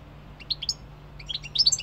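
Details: Short European goldfinch snatches: a few liquid high chirps, a pause, then a quick tumbling cluster of bright twittered notes, with a faint hum in the background.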